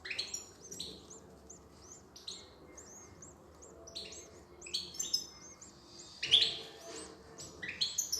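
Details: Female European goldfinch feeding her young on 5 June 2020: faint, rapid high twittering and squeaky chirps, repeated in loose bursts, with a brief louder scratchy burst near the end and a soft background hiss.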